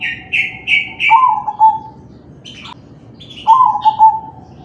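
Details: Crossbred zebra dove of the kalung tempuk type singing (manggung), played to prompt other doves to sing. Three rough, high chirping notes lead into a low, mellow, stuttering coo, then a few higher chirps and another short coo.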